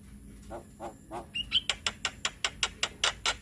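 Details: Javan myna song used to coax young birds into singing: a few soft low notes, a brief whistle, then a regular series of loud harsh rasps roughly five per second.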